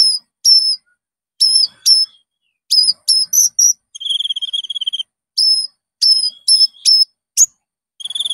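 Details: Konin (Common Iora) song used to lure and train caged birds: clear high whistled notes, some doubled and falling, spaced about half a second apart, broken by a quick buzzy trill lasting about a second.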